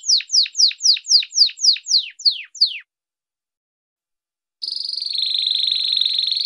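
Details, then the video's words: Domestic canary singing a 'first type' song: about ten quick, high whistled notes, each sweeping sharply downward at roughly four per second, then a brief pause and a steady, high buzzing trill that rolls on evenly, with no other sounds. "canário do reino cantando primeiro tipo"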